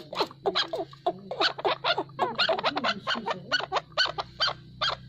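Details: Chukar partridge calling naturally: a rapid, uneven run of short, sharp clucking notes, loud and rhythmic, over a steady low hum throughout.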